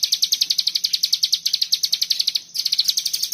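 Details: Common iora in 'bren rapet' song: a run of crisp, high chattering notes about eight per second, a brief dip, then the rapid series resumes.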